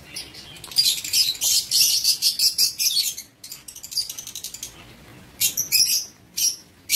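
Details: Several aviary lovebirds chattering: a dense stretch of rapid, shrill, buzzy chirps for three seconds, then quieter scattered squeaks and a few sharp screeches.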